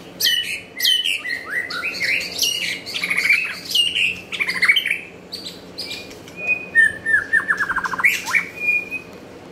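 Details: White-rumped shama, Nakhon Pathom, Thailand: rich, varied whistling with quick sweeping notes, then a rapid rattling trill of clipped notes near the end.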